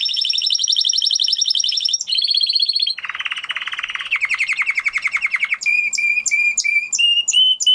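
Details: Spanish Timbrado canary singing a varied sequence: a fast high rolled trill, then a lower rippling rattle of rapid pulses, ending in a series of bright, metallic repeated notes with ringing overtones.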